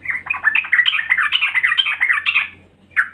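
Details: Female yellow-vented bulbul calling to lure males: a loud, fast chattering run of bubbly, warbling notes for about two and a half seconds, then a short pause and one more burst.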